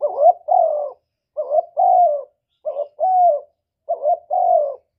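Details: Cooing of a spotted dove, a lure sound for trapping and exciting kept doves: four paired phrases, each a short burry note and then a longer, smooth, gently falling coo, about 1.3 seconds apart, with no other sounds.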